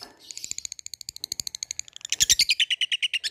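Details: Labet summoning a rival with 'ngetik ngekek' calls, a steady rapid series of thin high ticks, about three per second, then a louder, harsher burst of packed notes in the final second.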